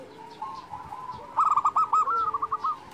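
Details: Vocal local zebra dove giving one rapid burst of bubbling, stuttered coo notes, with a soft lower hum running underneath.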